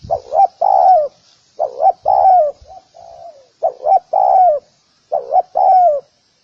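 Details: Cooing of a spotted dove used to call in other doves: four phrases of two hooked notes and a long falling coo, with a soft low murmured coo between.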